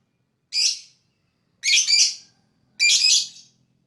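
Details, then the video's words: Lovebird of a fighter type, chirping to attract other birds: three loud, shrill, harsh screeching chirps, each about half a second long, spaced roughly a second apart over an otherwise quiet background. "Lovebird Fighter Chirping sound, most powerful for attract other bird"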